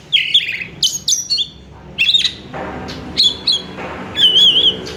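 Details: Oriental magpie-robin (kacer) song meant to lure a kacer or stimulate it to sing. Loud, varied whistled phrases, sharp chirps and short buzzy notes come in bursts with brief pauses, closing on a wavering warbled whistle.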